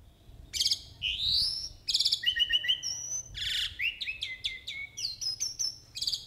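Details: Vigorous jalak uret starling song in a continuous medley: loud whistles, harsh buzzy bursts, rapid stuttering trills and slurred upward and downward notes, delivered in quick succession with almost no pauses.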